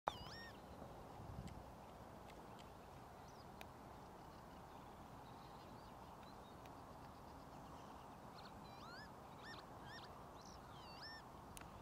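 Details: Northern lapwing at Ljubljansko Barje, Ljubljana, Slovenia, on 13 April 2024: faint, slurred, wheezy 'pee-wit' calls, a few early and a quick cluster near the end, over a steady low rumble of wind.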